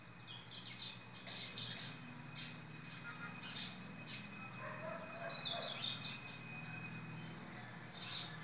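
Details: A double-collared seedeater, dated 14 October 2017, sings short, high, chirping notes in loose bursts every second or so, over a steady low hum and background noise.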